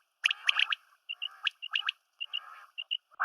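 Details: Female and male quail (batair) in mixed calling, used as hunting sounds: quick bursts of short, sharp, clipped notes, some doubled and slightly rasping, repeated in little clusters over about three seconds.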